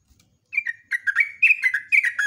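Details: A yellow-vented bulbul used as a lure pours out a continuous, lively chatter of bubbly, slurred chirps that bounce up and down, loud and unbroken.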